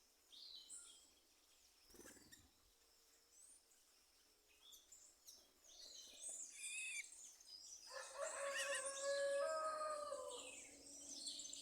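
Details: Birds singing: sparse high chirps and a few short whistles at first, then a loud, dense, tumbling warble of rapid whistled and trilled notes fills the last few seconds.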